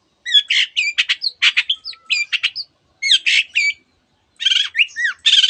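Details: Long-tailed shrike delivering dense song filled with canary and other borrowed bird phrases: clusters of rapid chirps, bright whistles, and short rising slurs, separated by brief pauses, in three bursts.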